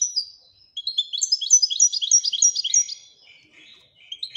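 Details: European goldfinch with a rapid tinkling run of bright, evenly spaced high notes trailing into softer buzzy twitters.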